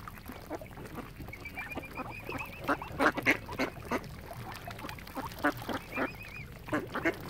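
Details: Ducks gathered around a swan family at Oxford Island on Lough Neagh, Ireland, keep up dense, chattering quacks, with a thin wavering whistle from another bird threading through twice.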